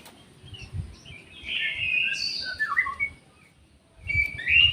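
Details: Aviary orange-headed thrush pouring out a rich, fluid warbled phrase with sliding whistled notes, a brief pause, then a fresh burst, over faint low background noise.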